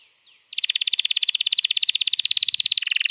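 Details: Long rolling canary song from 21 April 2022, played to coax a canary into singing: after half a second of near quiet, a loud, fast, very even trill rolls on for over two seconds, shifting pitch slightly at the end.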